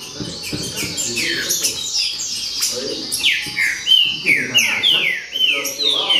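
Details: Green-winged saltators in a noisy group chorus: many loud, clear whistled notes slurring steeply downward, overlapping one another in quick bursts. The chorus grows denser toward the end, with a soft low murmur underneath in the first half.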